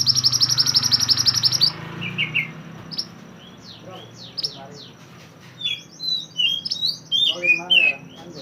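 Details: Energetic mantenan bird from the mountains, its song used to teach caged songbirds: opens with a fast, regular high trill, then a varied sequence of whistled, slurred and chirping phrases.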